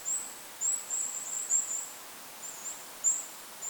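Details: Goldcrest over a forest lake with wind noise behind: very high, thin, sibilant call notes, given singly and in short runs at irregular gaps, over faint hiss.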